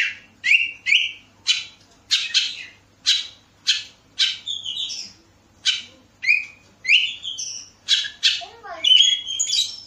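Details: Oriental magpie-robin (kacer) from Bekasi, recorded as a lure to make other birds sing: loud, varied song of short separated phrases, rough buzzy notes alternating with clear whistles, about one phrase every half second, ending in quick descending twittering.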